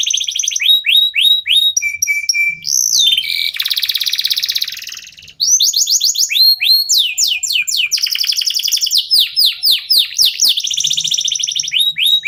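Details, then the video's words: Local canary singing continuously to prompt other songbirds: varied whistled phrases, flat held notes, long buzzy trills and rapid series of falling notes, with brief quiet gaps. "KENARI LOKAL GACOR TOTAL, SEMUA IKUTAN BUNYI..PANCINGAN AMPUH BIKIN CEPAT GACOR"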